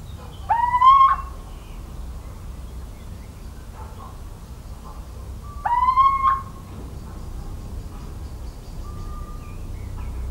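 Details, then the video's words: Little owl in the countryside of central France, 17 March 2019, repeating a rising whistled hoot twice about five seconds apart, plus a faint level whistle later, over quiet rural background. "CHEVÊCHE d'Athéna/Chouette chevêche/Chant et Cris !"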